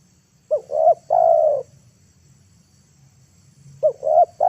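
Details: Decoy spotted dove luring wild doves down to earth: two phrases of two brief rising coos followed by a long, slightly falling coo, over a faint low rumble between phrases.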